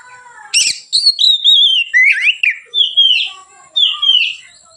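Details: Relaxed white-rumped shama singing, used as a lure for training other birds: a sharp noisy note opens fluid whistled phrases with rising and falling slurs, evenly spaced, ending on downslurred whistles; faint constant high tone.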